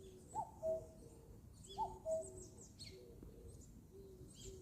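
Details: Common cuckoo in forest, giving two clean two-note calls, the first note higher and the second lower and longer, about one and a half seconds apart, over soft chirps of other birds and low rustling ambience.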